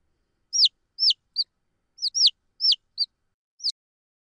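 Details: Domestic chick giving its contact call: high, thin peeps, each sliding sharply downward, delivered in quick groups of two or three, about eight notes over four seconds, with silence between groups.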